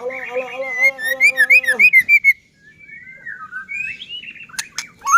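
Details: White-rumped shama singing vigorously as a lure to stir other shamas: a wavering low whistle under quick repeated high chirps, then long gliding whistles that dip and rise, ending on a sharp downslurred note.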